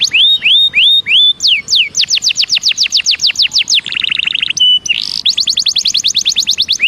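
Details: Belgian canary singing a warm-up song, rapid series of falling whistled sweeps, several slurred upward notes, then a buzzy rolling trill and a steady pure tone before more quick descending notes.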